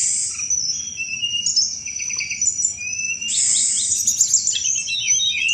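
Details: Sunda robin singing a lively chattering song used as a lure for thrushes: very high, rapid trills and twittering runs, with a dense burst of scratchy notes midway and a steady low hum underneath.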